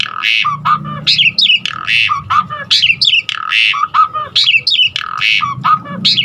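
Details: Asian pied starling filler song to draw other starlings into singing: harsh rasping notes alternate with downward-slurred whistles and squeaks, roughly one phrase each second.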